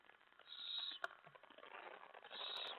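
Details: Owls at a nest in the early morning of July 25, 2017, during a feeding with a mouse delivery. A breathy, rasping hiss rises and falls, with a sharp click near the middle.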